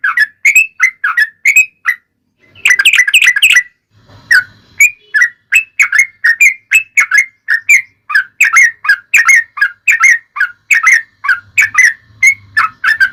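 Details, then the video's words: Yellow-vented bulbul delivering a long 'ropel' fighting-style song used to provoke other bulbuls: a continuous string of quick, whistled chirps with a dense bubbly burst near the start. "trucukan gacor TARUNG ROPEL PANJANG pancingan trucukan agar bunyi"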